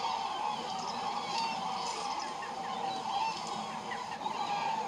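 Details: Many common cranes migrating north in February call at once from a distance: a steady, overlapping chorus of rolling, trumpeting notes, with no pause and no other clear sounds.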